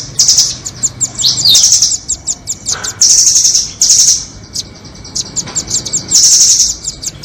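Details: Trapping lure of doraemon and red-billed nuthatches: choppy high ticks and a swept phrase lead into steady, bright rattling trills of about a second, with scattered chips in between.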